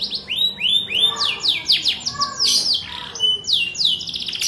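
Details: High canary song made of curved whistled notes repeated several times a second, shifting between slower rolls and rapid sweeping trills, with brief pauses between phrases.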